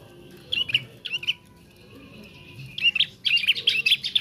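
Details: Young bar-winged prinia learning to sing: short bursts of sharp, high chirps and twittering notes in quick clusters, separated by brief pauses, with a thin sustained tone in between and a quiet background.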